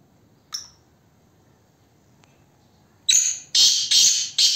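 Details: Black francolin, locally kala teetar, calling: after one faint short note and a quiet pause, a loud burst of four harsh, rasping notes in quick succession.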